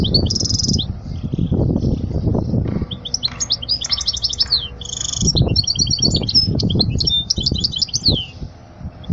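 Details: European goldfinch song intended for tutoring young chicks. A buzzy trill opens, followed by a pause with low knocking and rumbling. Then comes a long run of sparkling, rapid twitters mixed with harsh buzzy notes.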